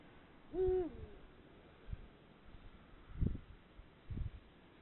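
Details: Perched Eurasian eagle-owl giving a single low, mellow hoot that dips at its tail, followed by silence broken by a few soft thumps and rustling noises.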